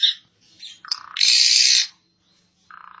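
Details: Asian pied starling (jalak suren) in energetic song, used as a training model for songbirds: a sharp high note, short chirps, a loud broad harsh burst of about a second, then a lower buzzy rattling phrase.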